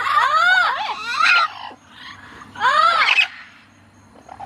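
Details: Happy pet parrot among companion blue-fronted, yellow-fronted, yellow-naped and lilac-crowned parrots playing on the ground, giving two loud, harsh squealing squawks with arched wavering tones, separated by a quieter pause and low background hum.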